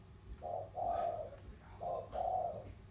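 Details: Contest between a spotted dove from the Sóc Trăng delta lowlands and one from the Cam Ranh mountains: two paired low coos, a short note followed by a longer mellow one, in a quiet background.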